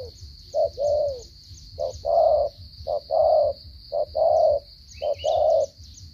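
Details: Stuttering coo of a spotted dove from Cà Mau, Vietnam: a brief low note followed by a fuller drawn-out coo, repeated in regular pairs roughly every second, with a steady high whine and low rumble behind.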